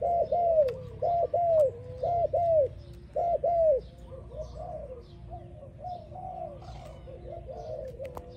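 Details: Spotted dove song: several loud, clear arched coos in pairs open the passage, then the notes fall away into softer, blurred cooing over steady low background noise.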